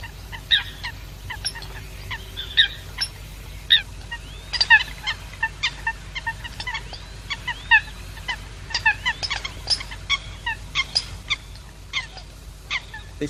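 A flock of American Coots gives a steady scatter of short, squeaky, toy-like notes, many birds overlapping at an uneven pace over a low background hum.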